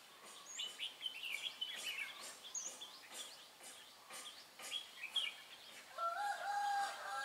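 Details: Red-whiskered bulbul decoy at a trapping site, 23 March 2018, giving quick clear whistled phrases early on. Later, a lower, steady, drawn-out call from another source rises over the background hiss.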